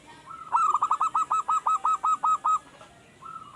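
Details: Young caged zebra dove that has only just begun singing diligently. It gives one long run of about twelve quick, staccato cooing notes at an even pitch, ending in a soft drawn-out note.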